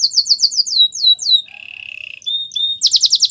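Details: Belgian canary singing for training: quick falling whistled notes, a low buzzing trill, a short steady whistle, then loud rapid descending notes.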